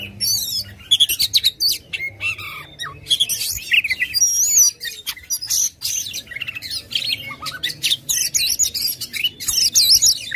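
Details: Kacer (Oriental magpie-robin) in vigorous, aggressive song with tail fanned, played to get a lazy bird singing. Long run of varied phrases: crackling rasps, trilled zigzag whistles and brief pauses.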